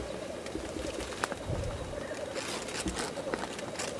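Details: Displaying black grouse at a lek, with a steady low bubbling coo under scattered clicks and brief noisy bursts.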